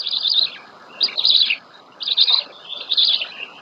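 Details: Black storks at a nest in Łódź, Poland, on 27 May 2020, as the adult female feeds the chicks their first breakfast: high, wheezy, hissing bursts of about half a second, roughly every second, over soft rustling.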